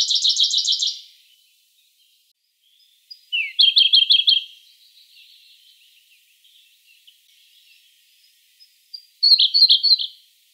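Siberian blue robin singing three loud, rapid trilled phrases of high, ringing notes, each about a second long. Softer quiet warbling fills the gaps between phrases.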